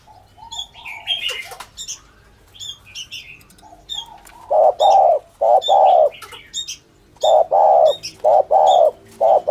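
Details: Thổ thúc gù coo of a spotted dove, meant for dove lurers; opens with soft chirps and faint coos, then loud hollow paired coos in quick succession in the second half, small birds twittering above.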